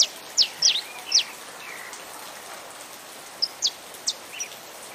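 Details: Saffron finch, Brazil, with rain sound: a quick cluster of high sharp descending chips at the start, a quiet gap, then a few more spaced notes, all over a steady rain hiss.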